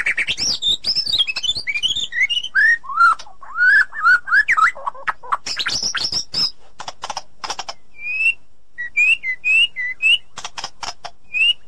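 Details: Female white-rumped shama calling the male in forest; a rich, fast warbling run with loops and trills, then harsh rasps and spaced short whistled notes.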